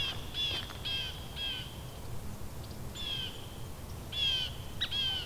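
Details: Uncommon visiting scissor-tailed flycatcher in New Jersey, November 2015, Edwin B. Forsythe National Wildlife Refuge, Canon EOS M camera: a run of about eight scratchy, grating notes, clustered early then in a later burst, with low background rumble.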